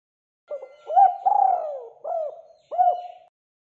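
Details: Lively spotted dove used as a lure for other doves: one full low cooing phrase, a soft lead note, a rising coo, a long falling coo, then two short closing hoots, clean and quiet around it.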